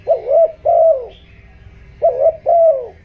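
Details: ["Spotted dove decoy cooing in 'giọng đồng' voice to excite wild doves and decoy birds. Two paired coos, the first note of each wavering, the second long and falling, low and mellow."]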